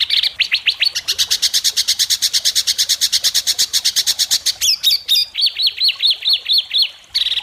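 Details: White-rumped shama singing in an Indonesian songbird competition, judged by a panel: rapid series of sharp, harsh buzzy notes repeated about twice a second, then a run of downslurred whistled notes, loud and dense throughout.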